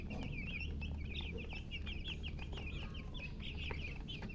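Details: Colourful baby chicks calling out from thirst, a continuous stream of loud high descending peeps from several birds at once, with a constant low hum.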